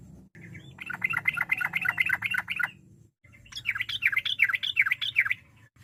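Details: Sooty-headed bulbul singing to provoke rivals into answering: two lively phrases of quick, rolling, warbled notes that rise and fall, separated by a short break, with a low background hum throughout.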